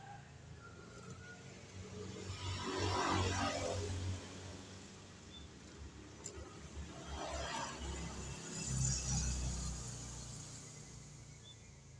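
Two vehicles pass in turn, each a broad swell of rushing noise over a steady low rumble, with no animal voices heard.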